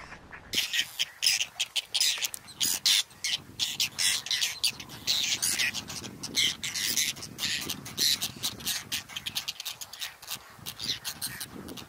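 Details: Whiskered terns at a nesting colony on water chestnut and lotus beds, Astrakhan State Nature Reserve, Russia, 22 July 2017, birds adjusting nests still holding clutches; a dense, continuous chorus of harsh, rasping calls overlapping almost without pause.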